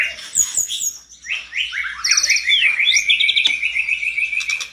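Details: Mountain tledekan in agitated full song, answered by other tledekans: high chirps give way to a long run of quick, repeated whistled notes, steady in pitch and accelerating, with a sharp click partway through.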